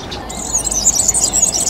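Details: Short, piercing, glittery run of rapid high notes from a European serin (Serinus serinus), starting after a brief pause, over a faint low rumble.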